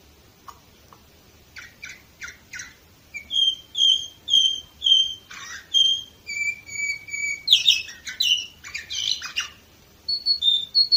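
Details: Singing canary from Varna, Bulgaria, 2018: a few short chirps, then a string of pure whistled notes, long level tones and bursts of rich buzzy trills, with a rapid high phrase closing.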